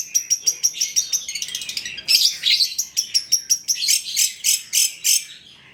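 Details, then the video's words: Long-tailed shrike of the cendet trotol type singing a full lure song for other shrikes; fast, regular series of sharp high chips about three per second, interrupted by a brief buzzy warble. "PANCINGAN CENDET TROTOL AGAR BUNYI, MASTERAN CENDET GACOR FULL ISIAN"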